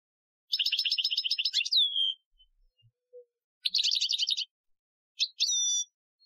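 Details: European goldfinch, Algerian training song, 2015: three bursts of fast buzzy trilled notes, the first and last ending in a long smooth descending whistle, with brief silences between.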